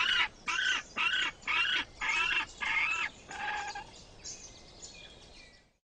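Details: Egg-incubating male penguins: six or seven loud, rasping, banded squawks evenly spaced about half a second apart, then fainter, thinner calls trailing off into quiet.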